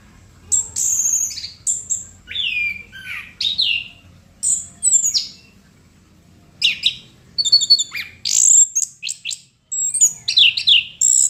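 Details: Chestnut-capped thrush in full, vigorous song. Rapid, varied whistled notes and slurred downward sweeps pour out in phrases, broken by one brief silence midway, then resume with buzzy, ringing notes.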